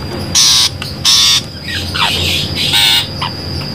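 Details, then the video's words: A long-tailed shrike lure call used for trapping: three harsh, rasping squawks about a second apart, with softer slurred, falling chatter notes between them. "suara pikat burung pentet"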